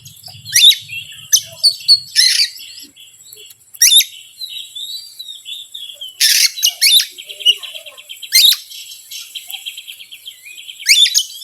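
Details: Oriental magpie-robin lure song, meant to fire up reluctant magpie-robins, with loud harsh rasping bursts between rapid high whistled notes and twittering phrases, plus a faint low hum near the start.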